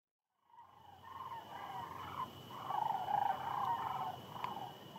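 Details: Sandhill cranes on the Platte River at the peak of their northern migration, several hundred thousand in view at night: a dense chorus of rolling, trilled calls overlapping continuously, swelling and fading around a steady mid pitch.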